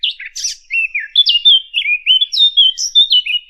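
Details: Fig bird voice played as a lure for hunting: a continuous, high, rich warble of twisting whistled notes and short trills, one bird singing steadily in a quiet setting.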